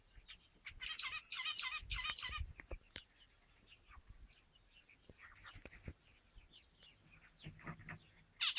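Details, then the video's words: Zebra finches giving a quick burst of three harsh, buzzy, nasal notes, followed by sparse scattered chirps and a few softer buzzy notes, with a faint low rumble underneath and a final loud note at the end. "صوت عصافير الزيبرا"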